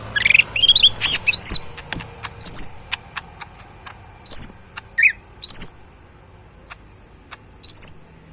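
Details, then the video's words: Tame caged cucak mini leafbird singing: an opening burst of fast varied chirps, then a single high rising-falling whistle phrase repeated at intervals of a second or two, separated by short quiet gaps and soft ticks. "burung cucak mini gacor full yang terbaik"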